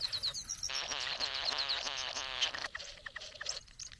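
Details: Satin bowerbird courting a female at the bower: a few thin whistled notes, then a continuous buzzy, wavering churr that rattles rapidly for about two seconds before breaking into scattered clicks and short notes.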